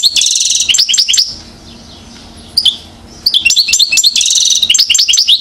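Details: European goldfinch, acrobate, one year old, Mouzaia, Algeria, 2012. Loud twittering bursts with rapid buzzy trills open and close the passage, separated by a near-silent gap holding a single chirp.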